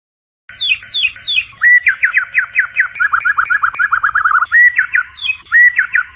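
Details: White-rumped shama night song for training a fighter bird: a few high descending notes lead into a fast varied run of short whistled slurs and chattering trills, then clear steady whistles.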